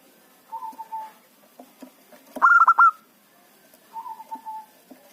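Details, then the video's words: Local zebra dove (perkutut lokal) calling loudly as a lure for trapping wild birds: soft level coos, then a loud burst of four or five rapid, clipped notes, followed by another soft drawn-out coo. "perkutut lokal gacor pancingan ampuh suara keras kecil cocok untuk pikat lawan"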